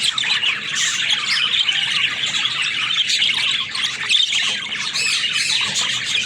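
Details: Pet budgerigars keep up a dense, continuous warbling chatter, with high squeaky notes and scratchy trills overlapping steadily and no pauses.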